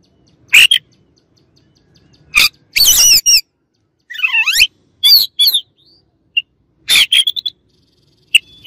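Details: Rival Oriental magpie-robin giving sharp scratchy chips, a dense warbled burst and a looping downward-then-upward whistled phrase, separated by clear pauses.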